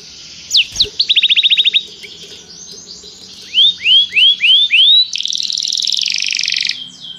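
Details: Canary in song training, calling a companion to join in: a brief rapid trill, a run of loud rising whistled slurs, then a dense buzzy high trill.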